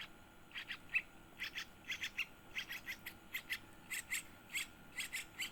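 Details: One-week-old yellow-vented bulbul chick begging while being fed: high, harsh chirps in quick pairs and triplets, repeated about every half second throughout, over a faint steady background hiss.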